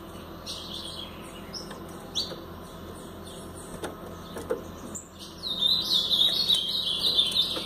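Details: Paraná-style song of a brown Blue-black grosbeak: scattered short chips early on, then a sustained, rapidly warbling phrase of high slurred whistles over the last two seconds.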